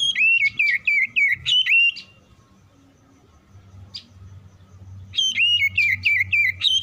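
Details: Oriental magpie-robin responding to other song: two bursts of rapid, loud whistled phrases, each note swooping down then up, separated by a few seconds of near silence with a single brief chirp and low hum.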